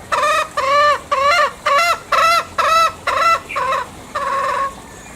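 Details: Loud, close green junglefowl of Bali uttering eight or nine harsh, rasping notes in quick succession, each with a wavering bend, the last two lower and more drawn out.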